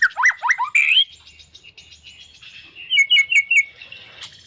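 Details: White-rumped shama giving quick looping whistles, then a thin trill and a short run of clear repeated notes.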